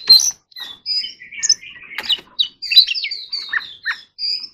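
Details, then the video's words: Oriental magpie-robin singing in forest-voice style for training, a busy sequence of short clear whistles, quick trills and harsh clicks varying rapidly in pitch, with no background noise. "choè than hót giọng rừng"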